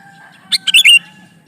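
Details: Male sooty-headed bulbul calling a female: one short burst of four quick, bubbly, chirping notes, the last slurred and longest, over a faint steady hum.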